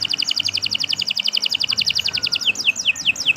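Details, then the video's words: Rapid high trill of repeated notes from a canary, changing after about two and a half seconds into a slower string of sharp down-slurred whistles. "Kicau Burung Kenari 165 II LUAR BIASA GACOR PANJANG Cocok untuk Masteran"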